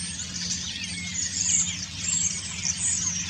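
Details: Common starling autumn song given while preening: dense high chatter of clicks, whistles and rattles in continuous flow, with a steady low hum underneath.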